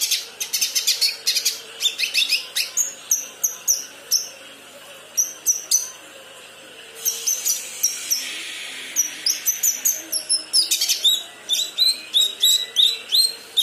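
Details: Young kinoi learning to sing: rapid bursts of sharp, high chirps and twittering notes in quick runs, pausing briefly midway before more clipped chirps resume, with a faint low hum beneath.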